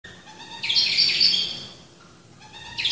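A Black-throated finch gives a high, breathy, rasping call lasting about a second, then begins again near the end, with faint thin whistles underneath.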